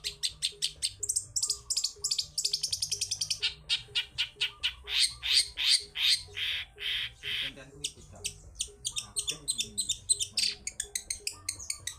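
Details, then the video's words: Long-tailed shrike in lively, wild-style song, used as a lure for shrikes that are reluctant to sing: fast runs of harsh, buzzy chattering notes, about three per second, rising into dense scratchy bursts, over a faint steady low repeating hum. "CENDET GACOR suara ngalas || PANCINGAN CENDET PILIS yang sulit BUNYI (SUARA BURUNG CENDET GACOR)"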